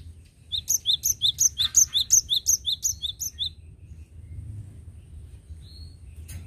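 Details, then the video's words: Vigorous cinereous tit song recorded as a lure: a long, very regular run of about twelve bright two-note phrases, high then lower, roughly three per second, then near silence over a low hum. "Suara Gelatik Batu Gacor Recomended untuk pancingan"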